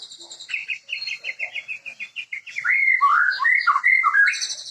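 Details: Murai, the white-rumped shama, starting with a quick series of repeated chattering notes, then breaking into loud rich whistled and warbled phrases that swoop up and down.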